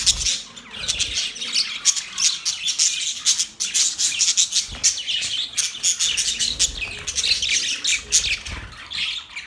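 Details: Budgies, Australian parrots, chirping: dense, overlapping high chatter of rapid squeaky chirps and warbles, nearly continuous with brief pauses, several voices at once, with occasional low thumps.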